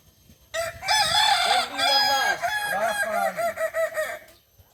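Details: Kukuak Balenggek rooster from Solok, West Sumatra, at a practice contest; a loud, rich crow lasting about four seconds, a long note followed by many rapid warbling, stepped segments, ending abruptly in quiet.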